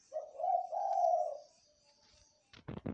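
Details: Zebra dove calling through the night, giving a low, smooth coo in two joined parts lasting over a second, then quiet, followed by a few sharp knocking sounds at the end against a high continuous insect hiss.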